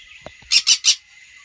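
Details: Green-cheeked conures, a caged pair with a recently fully fledged chick in a small aviary: three harsh, loud screeches in quick succession over about half a second, with a steady high hum in the background.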